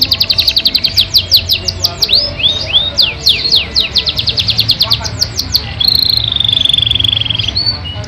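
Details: Yorkshire canary in a long-duration song with rich fill: rapid downward-sweeping whistled notes, then a sustained rolling trill held for nearly two seconds, over a low background hum.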